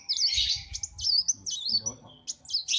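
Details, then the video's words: A caged kolibri wulung sunbird sings in the morning at a workshop: high, slurred, wavering warbles run together, broken by brief gaps, with a faint voice murmuring low. "KOLIBRI WULUNG NGOCEH PAGI PAGI"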